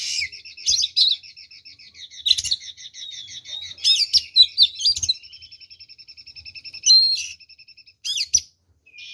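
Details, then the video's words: Oriental magpie-robin pouring out a fighting song to provoke rival birds; chirpy phrases alternating with long trains of rapid, evenly repeated ticking notes and a few sharp whistles. "SUARA BURUNG kacer gacor TARUNG FULL ISIAN ini PALING AMPUH MEMANCING KACER LAIN JADI EMOSI"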